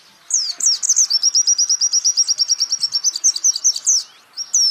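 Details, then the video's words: White-eye champion singer in a training recording meant to teach the 'geter' style: a burst of high twitters opens a long, fast, evenly pulsed trill, then breaks into sweeping chirps. "pleci Jawara Pake Masteran ini jamin Geter-GETER!!!!!"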